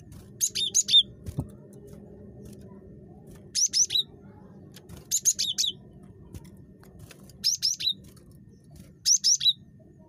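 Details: Very chatty cinereous tit, played to coax other tits into calling: five evenly spaced bursts of quick high notes stepping down in pitch, each burst about half a second, over a low hum.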